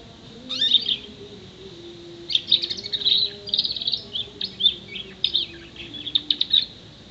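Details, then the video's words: Young canary, six months old, delivering mimicry song stuffed with copied calls of sparrow, male and female prinia, white-eye, blackthroat and bar-winged prinia; long rapid sequence of high twittering trills and sharp chips after a brief opening note. "Kenari 6 bulan isian komplit"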